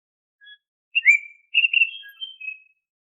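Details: Song of the kacer (Oriental magpie-robin), a lure for getting untrained caged birds to sing. A soft low note, a downward-slurred whistle, then a string of warbled, drawn-out whistles tapering off. No other sounds.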